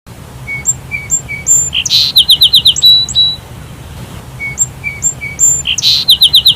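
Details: Sparrow calling: short, thin whistled notes at differing pitches, then a loud burst and a quick run of about five bright chirps, the sequence repeating about every four seconds in a quiet setting.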